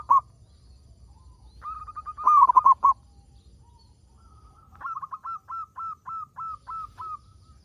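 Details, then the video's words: Local zebra dove singing to prompt other doves: a brief coo, a rising run of notes into a loud rolling burst, then a regular series of separate hooked coos, each about half a second apart. "Perkutut Lokal Gacor Suara Paling Ampuh Untuk Pancingan Burung Perkutut Agar Bunyi"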